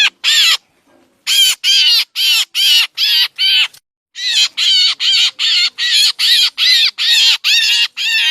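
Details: Black drongo call played as a trapping lure in the Lao–Isan region: loud, scratchy, harmonic squawks in quick series, broken by two short gaps, with a faint low murmur early on.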